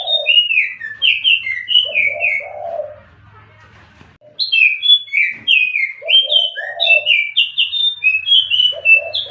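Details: Used as a lure, jongkangan biru song of quick, varied whistled slurs with lower warbling notes, broken by a short quiet gap before the lively phrases resume over a soft low hum.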